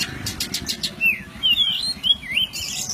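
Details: White-breasted oriental magpie-robin (kacer poci) master recording with forest fill for songbird training: a few scattered chips, then slurred whistled notes rising and falling, ending in a burst of high hiss.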